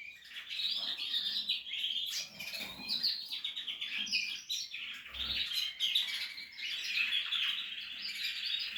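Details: Portuguese harlequin canary singing at nest-building time: a steady stream of high buzzy trills and chirps, with a soft low bump and light fluttering sounds.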